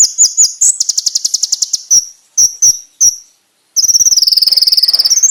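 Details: Rich, loud konin (brown-throated sunbird) master song: a high, rapid pulsed trill, then three separate sharp piercing chips with pauses, and finally a dense, very fast buzzing trill that climbs at the end.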